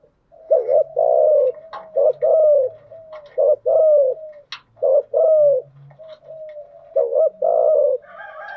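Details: Spotted dove cooing used to lure wild doves: repeated hollow coos with falling endings, several phrases of short and longer notes, with low background murmurs.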